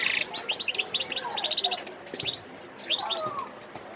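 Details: Dense, fast goldfinch song from a wild bird at Sidi Bel Abbes, December 2021: tumbling high twitters and liquid chirps, one brief pause, a second twittering burst, then fading.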